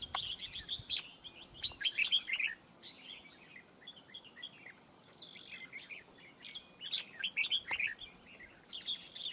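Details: Red-whiskered bulbul singing at a fight trap for wild birds, described as very fierce and long-singing: bursts of bright, quick warbled whistles repeated in clusters, loud at the start and end with a quieter stretch between, over a faint hiss.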